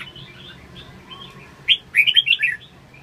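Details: Red-whiskered bulbul song: soft, scattered warbling notes at first, then one loud, bright, bubbling phrase of four or five quick rolling notes near the end, with a quiet background.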